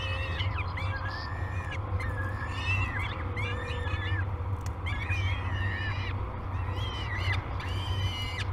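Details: Peregrine falcon nestlings at Great Spirit Bluff, recorded by a live nest camera on 22 May 2020 as they wake for feeding, utter bursts of rasping, arched cries, some overlapping, over a low droning hum.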